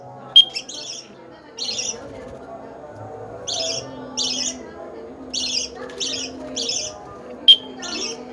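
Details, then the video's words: Lovebird kept as a pet and being trained, repeating short, rasping, buzzy chirps in an irregular series of about nine over eight seconds, with two brief sharp clicking tones and a faint low hum behind. "Melatih burung lovebird ftm"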